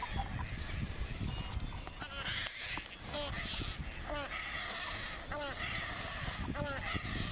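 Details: Hungry painted stork chick crying for food from its mother at Bharatpur bird sanctuary: repeated short nasal arched calls with stacked harmonics, several per second in bursts, over a busy background of other birds and low rumble.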